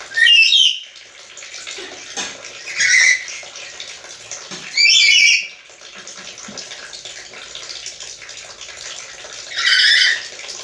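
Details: Black-capped lory said to imitate human speech: four loud, harsh squawks spaced a few seconds apart, each short and buzzy, separated by quiet stretches of background hiss.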